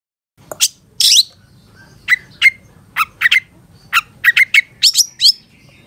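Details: Long-tailed shrike master song for tutoring caged birds: spaced sharp chirps and short whistled notes, some in quick doubles, over a quiet background.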